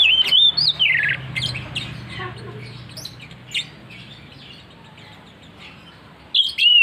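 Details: Oriental magpie-robin (kacer) singing in the persistent, open 'ngeplong ngotot' style: loud clear whistled notes, rising and falling, in a burst at the start, scattered softer chirps, then another loud whistled phrase at the end over low background hum.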